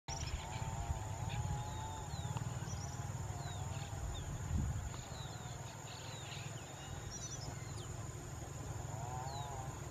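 Smooth-billed ani giving whiny, wavering calls near the start and end, over a steady low rumble with faint chirps of other small birds.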